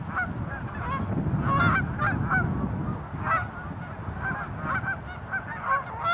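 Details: Tundra swans amid geese and ducks in Mississauga, Ontario, Canada, on March 16, 2013; scattered nasal whooping honks sound over heavy low-pitched rumbling, likely wind, with bursts of calls clustering around the second and fifth seconds.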